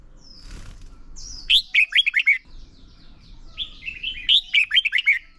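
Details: Red-whiskered bulbul decoy singing competitively for bird training, ép bổi sổ bọng và căng lửa style: two phrases, each a faint thin whistle and then a bubbling burst of rich notes, with a low rumbling background.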